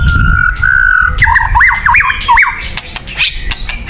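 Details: White-rumped shama song for luring birds: a long level whistle followed by a run of looping rising and falling whistled notes, with low background rumble.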